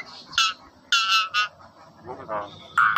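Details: Nias hill myna giving loud, harsh nasal calls in short bursts, some with a clear tonal band, separated by brief pauses, with softer lower chatter between.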